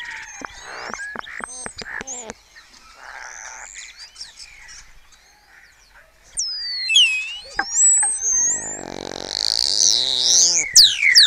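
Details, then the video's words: Dawn chorus of colony starlings in Cabañeros National Park, Spain, imitating kites, orioles, quails and even stork bill-clattering; clicking and crackling notes give way to swooping whistles and a loud harsh buzzy burst. "los estorninos de la colonia rivalizan con sus imitaciones de cantos"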